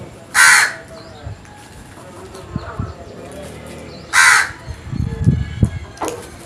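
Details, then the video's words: Morning crow caws: two rough, loud calls nearly four seconds apart, with soft low rumbling and faint bird notes between them. "Birds Morning Moments | Crows Sounds"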